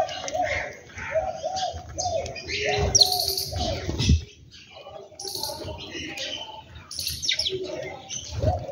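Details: Birds calling at home in the morning: low, hollow cooing notes in a short series, mixed with high, thin chirps and a few bright twitters, over faint background voices.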